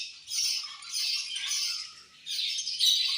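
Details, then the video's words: Three loud surges of harsh, buzzy, high-pitched chatter from budgerigars chirping angrily as they eat, separated by brief quieter gaps. "Budgies Eating And Angry Chirping Sounds"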